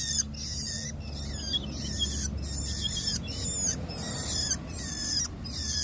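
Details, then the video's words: Long-tailed shrike, tame, calling in nature: a steady series of grating scratchy notes with faint downward slurs, over a low rumbling background. "expresi burung cendet di alam"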